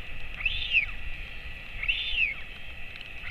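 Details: At 11:35 am on 28 August 2024 an adult male royal albatross feeds his chick, hatched 23 January 2024, on a colony webcam; two loud arched whistles rise and fall, with steady wind hiss beneath.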